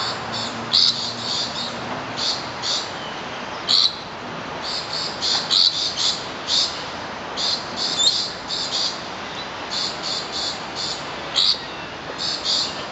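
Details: Rainbow lorikeets, part of a noisy flock of at least 10 foraging at Bishan Park, give harsh, high screeches in quick bursts, a few every second, over a steady background hiss.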